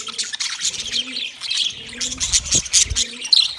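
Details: Several budgies in busy chatter on 9 March 2024, fast scratchy chirps and tweets layered into a steady warble, with a few louder sharp notes near the end and low hollow coos in the background.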